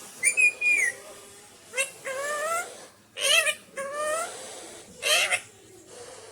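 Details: Pet Alexandrine parakeet giving harsh, nasal squawks with rising and falling harmonic bands, in short bursts separated by brief pauses, indoors in a small room.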